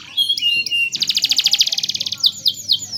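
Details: Canary song used for mastering young birds: whistled phrases lead into a rapid, regular rattling trill of about twenty pulses, then slurred descending whistles.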